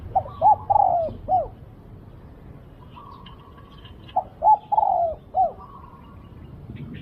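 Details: Spotted dove, a bird in a decoy-luring session, gives two bursts of low, mellow coos: short hooked notes, then a longer drawn coo and a final short note. Each burst lasts about a second and a half, with faint chirps from other birds between bursts.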